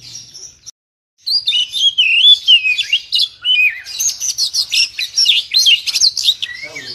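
A long-tailed shrike pours out a fast, high, chattering warble of varied chirps, whistles and trills, running almost without pause after a brief silence.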